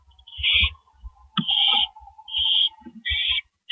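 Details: Two owls on a porch at 2:15 AM on April 18, 2012, giving harsh, raspy hissing screeches about half a second long, repeated at irregular intervals, with faint low knocks between them.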